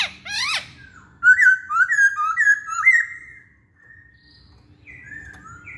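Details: Masked laughingthrush song used as a lure to make other birds sing. A few quick downward-sweeping notes open, then a run of loud, clear whistled phrases with slight up-and-down inflections. These fade to scattered softer whistles. Background is quiet.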